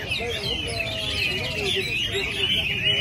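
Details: Chinese hwamei at a weekly group training session in early December, birds brought together to sing; dense, overlapping loud whistled phrases with rapid warbling runs and slurred trills, continuous throughout, plus lower wavering notes beneath.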